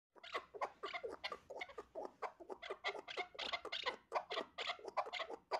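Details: Male chukar partridge in song, giving a long run of harsh, clucking chuck notes about three to four per second, rhythmic and steady, fairly quiet against a faint background.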